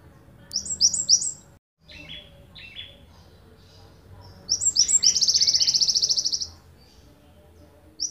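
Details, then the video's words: Java sparrow from Ponorogo, recorded as a master for training songbirds: opening high chirps, softer lower chips, then a long fast rattling trill of bright, buzzy notes lasting about two seconds before fading. "Gelatik wingko tembakan panjang"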